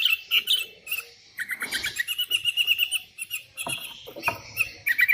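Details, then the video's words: Several sooty-headed bulbuls calling back and forth after one calls out to rivals: overlapping busy chirps and bubbling whistles with a continuous, crowded chatter throughout. "Suara burung kutilang gacor memanggil lawan"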